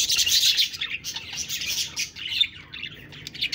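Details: Budgerigars twittering rapidly in a busy mix of high chirps and scratchy warbles, with short pauses between quick bursts.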